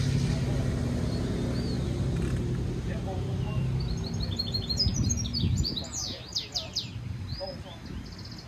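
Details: European goldfinch mule, a hybrid, singing for song training: a burst of rapid twittering and buzzy trills high in pitch after a few quiet notes, over steady low traffic rumble and faint voices.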